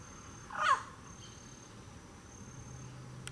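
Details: A Pale-crested Woodpecker on a farm near Miranda and Terenos, Mato Grosso do Sul, Brazil, gives one short, downslurred mid-pitched note. A thin, steady insect whine runs high in the background.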